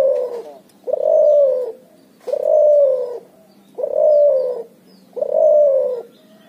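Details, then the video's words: Hybrid cuhu dove, a Barbary dove and spotted dove cross, calling in a vigorous ngoar nguku style: five evenly spaced, drawn-out low coos, each swelling then dipping, repeating roughly every one and a half seconds. "suara burung cuhu gacor ngoar nguku hasil silang puterxtekukur"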